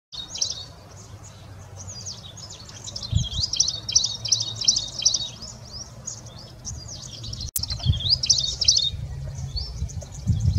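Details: A Rufous-fronted Prinia in India, singing while displaying, gives a high, rapid, scratchy twittering that runs almost without pause, over a steady low background rumble.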